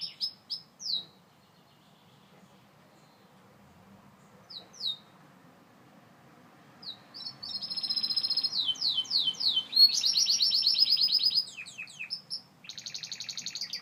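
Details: Gloster canary singing: a few scattered high chirps, then from the midpoint a building series of rapid downward-slurred notes that merge into a bright, dense, high trill, with a faint low hum underneath.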